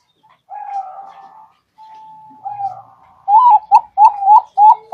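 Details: Zebra dove song played as a lure for trapping, from Bangkok and local birds: low, wavering drawn coos and a thin held note, then a clear burst of quick, bouncing, slurred cooing notes.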